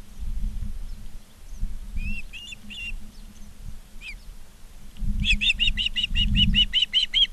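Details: Charlo, Montana ospreys, August 19, 2023, late afternoon at 16:05. A few scattered thin chirps, then a fast, regular string of about ten bright whistled notes near the end, over low rumble and hum.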